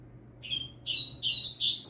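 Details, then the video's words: Novice double-collared seedeater in firm song for training: a thin whistle, a pause, then a burst of buzzy high chattering notes that grows louder to the end. "Papacapim Novato Cantando Firme Top Pra Treino de Fibra!!!"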